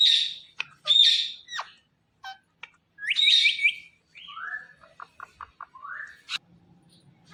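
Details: Pet Indian ringneck parakeet gives loud high whistles and squeaks, a fast trill of upward chirps, then a sequence of short clipped notes and a rising whistle, with quiet gaps between.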